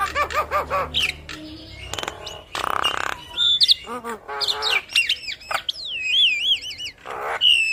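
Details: Black-winged myna with yellow eyes, in full head-bobbing song: rapid ticking notes and nasal yelps lead into harsh rasping bursts, then long swooping, wavering whistles that rise and fall repeatedly.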